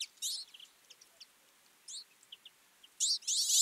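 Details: A feeding Twite flock in winter gives quick, high, twittering chirps in scattered bursts, several birds calling at once, with louder overlapping chatter toward the end.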